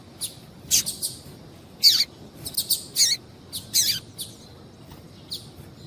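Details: A female double-collared seedeater gives calls meant to stir a male into singing. The clip holds a loose series of brief, high, scratchy chirps, some clustered, with uneven gaps over about six seconds.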